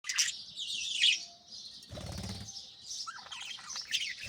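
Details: Morning chirping of budgerigars in an aviary, several birds chattering in dense, scratchy high warbles, broken midway by a brief low fluttering burst like wingbeats, then the warbling chatter resumes.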